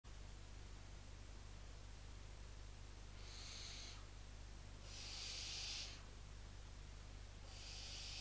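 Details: Barn owl chicks inside a nest box in Cabañeros National Park, showing rejection toward a visiting intruder, apparently a female, perched on the box while the resident adults are away. Three breathy, snoring hisses about a second long, steady low hum underneath.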